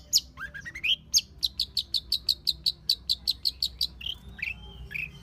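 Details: Long-tailed shrike in the wild giving a rising series of notes, then a rapid, evenly spaced run of about fifteen sharp, high chips, ending with a few slurred whistles.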